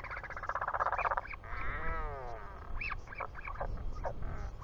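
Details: Nest of a Royal albatross in New Zealand on 24 July 2020, late afternoon, as the father arrives to its chick; a dense harmonic braying call, then a long wavering arched note and scattered high peeps over wind.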